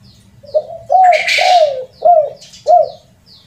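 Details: Spotted dove coo phrase of the rare 'kuk 3' type, used to lure birds: soft arched notes, the middle ones long and falling, with a short rustling burst and faint high chirps from other birds.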